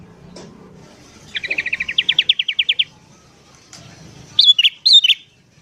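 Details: Sooty-headed bulbul in lively morning song, used to lure wild birds: a rapid rattling trill of around fifteen notes, followed by two loud sharp whistled chirps, over a faint low hum.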